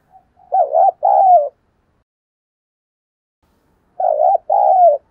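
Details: Spotted dove, a cooing bird kept for lure calling, gives two paired coo phrases about three seconds apart, each a low, rolling, slightly wavering double note, in silence.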